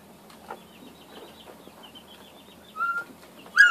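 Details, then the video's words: Northern bobwhite calling: after faint background, a clear level whistle, then a loud sharp note cut off at the very end. "Bobwhite bıldırcın"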